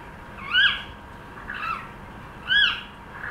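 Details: Three loud arching whistles from a cockatiel trying to sing, each rising then falling, spaced about a second apart, the middle one softer.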